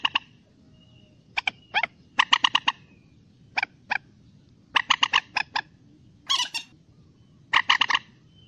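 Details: Common moorhen calls used as a hunting and trapping lure: short, harsh, harmonic notes in clipped bursts of two to five, with one louder squeal near the end. Light low background hiss.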